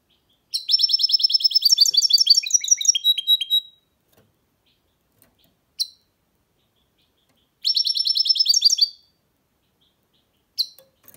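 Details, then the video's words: A goldfinch mule (hybrid) sings two bright, twittering phrases of rapid high chirps and trills, each lasting a few seconds, with single sharp notes between. "Goldfinch mule’s (hybrid) singing"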